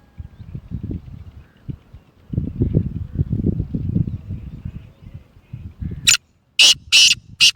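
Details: Black francolin (kala teetar), a Gangas, Sheedi and Lakka cross with a nasal voice: after six seconds of low rumbling handling noise, a loud harsh burst series of four grating, rasping notes ends the recording.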